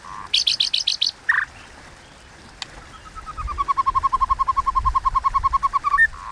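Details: White-rumped shama in competitive fighting song of the 'kéo thuốc lào' style: a burst of high, sharp repeated notes, a pause, then a long even train of rapid mid-pitched notes, about ten per second, building louder.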